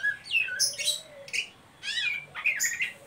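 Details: Ngeriwik call of an Oriental magpie-robin, meant to prompt young birds into song: a run of short whistled chirps and sharp squeaks alternating with scratchy, rasping bursts in quick phrases, with a soft low hum underneath.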